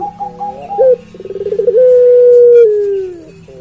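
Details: A puter pelung collared dove, a keen caller, gives a brief sharp note, then a quickening rolling trill leading into a long, steady, low coo that drifts downward. A faint low hum sits in the background.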